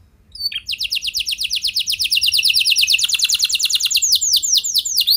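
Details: A canary singing nonstop, used to trigger song in other canaries. A very fast, steady trill of high repeated notes rolls on for several seconds, then shifts into slower, curving whistled notes.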